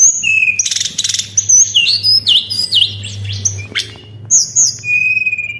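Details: Lure recording of white-browed shortwing song: high steady whistles, noisy chattering bursts, dipping V-shaped notes and a final long thin whistle, over a faint low hum.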